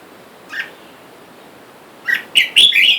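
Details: Red-whiskered bulbuls in a cage, a wild-caught male and female, while wild birds outside call for a mate; a single chirp, a pause, then a lively string of loud bright notes ending in a slurred warble.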